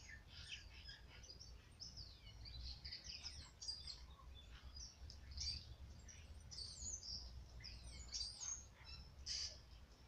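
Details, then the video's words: Tui calling: thin, very high whistled notes and quick upward and downward swoops, delivered in scattered bursts over ten seconds, against a soft low rumble of background noise. "Tui birdcall"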